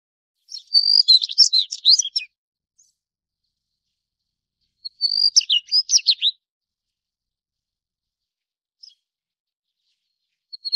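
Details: Daurian redstart (Phoenicurus auroreus) singing two high phrases about four seconds apart. Each opens with a thin, steady whistle and runs into a quick jumble of sharp, chirpy notes. The background is otherwise silent.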